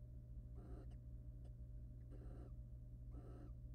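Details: Courting wild barn owls in a monitored nest box, male preening then mating with female; three harsh hissing bursts with a few faint clicks and taps between them, low electrical hum underneath.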